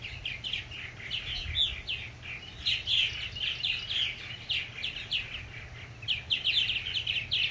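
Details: Several purple martins chattering as adults encourage new fledglings: dense, overlapping chirps and gurgling twitters in rapid rolling waves, with a faint low hum in the background.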